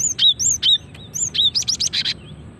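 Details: Female cinereous tit calling, used to lure birds and prompt males to sing: high thin whistled notes dropping sharply in pitch, repeated several times, then a quick run of sharp chipping notes, over low background noise.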